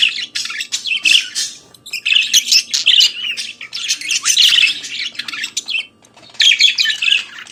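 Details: A budgerigar sings in the morning: almost unbroken scratchy warbling mixed with squawks and clicking notes, pausing briefly near the end before a last burst of chatter.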